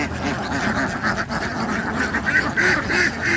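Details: Ducks quacking in a dense, unbroken chorus, harsh nasal quacks overlapping at roughly three per second, set against a steady background hiss.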